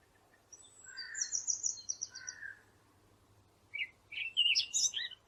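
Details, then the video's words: Bird chirping over a faint low hum, with high trilled notes and short mid-pitched chirps, a quiet pause, then a louder cluster of sharp, rising and falling tweets. "نصف ساعة من صوت العصافير الجميل ، Yarım saat kuş cıvıltısı ، Half an hour of birds chirping"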